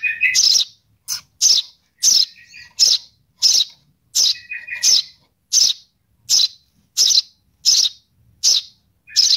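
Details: Sparrow chick calling its mother, giving insistent high scratchy chirps in a regular series, broken by a few softer, lower twittering notes.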